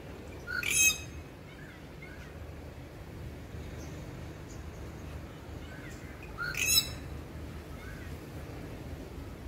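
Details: Rufous treepie (Indian treepie) giving two loud, harsh, rasping calls about six seconds apart, each a brief burst rich in overtones, over steady low background rumble.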